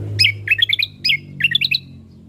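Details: Ruby-throated bulbul, from a lure and tutor recording for birdkeepers. Two loud, lively phrases of quick high chirps and warbled notes, each about half a second long and repeated almost identically.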